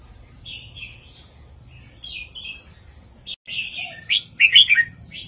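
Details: Red-whiskered bulbul master song in southern Thai style, used to excite caged birds: bright, liquid whistled phrases, brief and chattering, repeated in short bursts that grow louder toward the end, over faint low hum.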